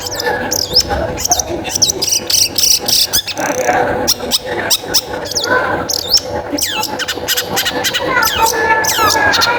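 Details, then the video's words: Long-tailed shrike in busy, clear song, used as a lure to make other shrikes sing; rapid, jumbled sequences of harsh chatter, sharp chips and falling whistles run almost without pause, with low murmur underneath. "Suara Pancingan Cendet Gacor Paling Banyak Di Cari Suaranya Jernih Gacor"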